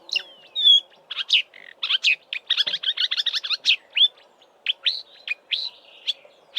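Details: A Marsh Warbler in Eastern Cape bush in March, before migrating north, pours out a fast, varied song of chattering, whistled and buzzy notes mimicking Southern African birds, with a faint low hum behind.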